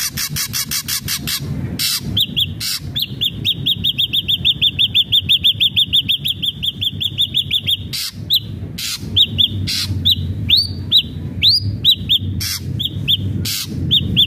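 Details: Energetic ashy drongo song meant to prompt a caged bird into singing, opening with rapid clicking bursts, then a long fast run of identical high chips, followed by broken buzzes and upswept whistled notes.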